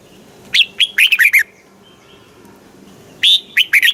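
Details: Red-whiskered bulbul, caged, Thailand, singing southern master-style phrases played to rouse other birds and teach chicks: two loud chirpy bursts of clipped, bending whistles with a brief hush between.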